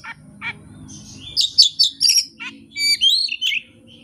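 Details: Oriental magpie-robin unloading its learned repertoire with no tutor recording and no rival: scratchy rattles, then a fast sequence of sharp chips, clear slurred whistles and trills in varied pitches.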